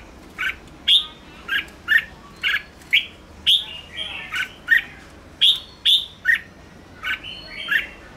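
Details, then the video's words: Red-whiskered bulbul singing the fiery 'ché' style used to stimulate wild-caught birds: short, bright, slurred chirps repeated about every half second, some rising and whistled, in a steady chattering series over faint background hiss. "Chào mào ché kích bổi căng lửa/Kích chào mào nhanh ché/kích bổi xổ bọng"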